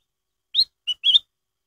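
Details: Black-headed bulbul lure song for setting other birds singing: a loud single phrase of three whistled notes, the first rising, the second brief and lower, the third wavering and drawn out. Quiet surroundings.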